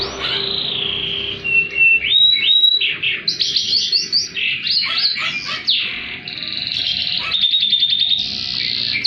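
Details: Canary in full high-and-low song, meant to stir canaries that have gone quiet and to serve as a master recording: continuous rolling trills and whistled tours over a steady low hum.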